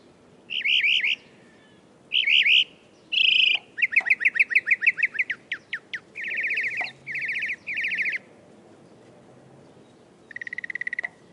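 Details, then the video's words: Northern mockingbird running through varied phrases: harsh buzzy notes, a fast string of about ten chips, slower sliding whistles, then buzzes repeated in threes. "Sound Effects -- Northern Mockingbird"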